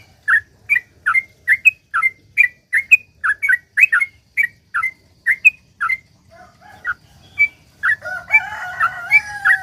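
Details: Sooty-headed bulbul in the long 'ropel' lure song: quick bright whistled couplets repeated for about six seconds, then a pause and scattered notes mixed with a lower, harsher warbling voice at the end.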